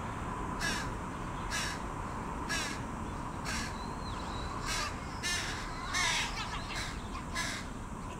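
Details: Begging young carrion crows, same size as the adults, pleading with a parent for food: a series of about nine hoarse caws near one a second, with a faint whistled note midway.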